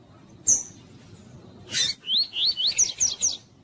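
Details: Coleiro (Double-collared seedeater) in tui tui style, played to warm up and stimulate other coleiros to sing: after two sharp clicks, a run of about seven high, upslurred whistled notes rising in pitch, delivered rapidly.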